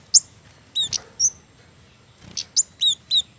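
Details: Flowerpecker, a garden bird fond of mistletoe fruit, giving sharp, very high ticking chips in two loose clusters with gaps between them.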